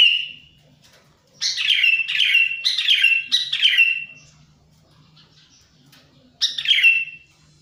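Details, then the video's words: Lure call of a sooty-headed bulbul for drawing in wild birds: a strong series of four harsh, downward-sliding chattering calls in quick succession, a pause, then one more, over a faint hum. "suara pikat burung kutilang"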